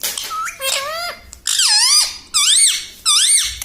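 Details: Pet parakeet mimicking words, said to say sita ram and mummy papa indoors: a series of high, wavering, voice-like phrases, each arching up and down, separated by short pauses.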